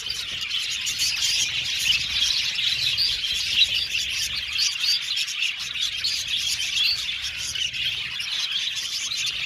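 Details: Loud, continuous chirping from many budgerigars, quick bright tweets and warbling notes densely overlapping, with a few louder peaks in the middle.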